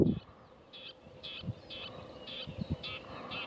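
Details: Red-backed shrike singing: a run of short, harsh, scratchy notes, about two per second, over low rumbling wind noise.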